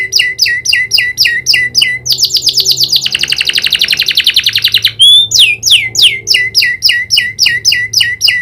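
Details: Caged canary in full song, trained to imitate the prinia's clicking call. Paired high chirps repeat about four times a second, break into a dense fast trill, then the chirping returns.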